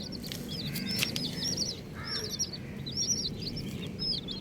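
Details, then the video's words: Several colourful baby chickens chirp busily, shrill clipped peeps in fast overlapping volleys, one brief lower call midway, steady low rumble behind. "Colourful Baby Chickens | Cutie Chicks Chirping Sounds"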